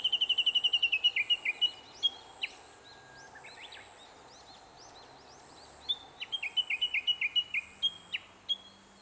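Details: Japanese bush warbler calling in a long run of short, sharp, piping notes that tumble quickly and slightly downward, pausing for a few seconds, then bursting into another rapid series; faint steady background hiss.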